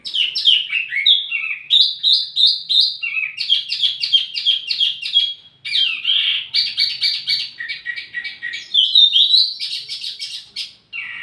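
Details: Wambi mini song recorded to lure and tutor flowerpeckers: a long, continuous twittering of rapid downslurred notes mixed with short buzzy bursts, barely pausing.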